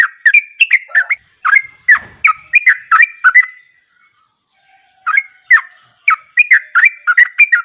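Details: Yellow-vented bulbul in vigorous gacor song. Two long runs of quick, warbling, liquid notes at about three per second are split by a pause of more than a second, with a faint low thud near the start.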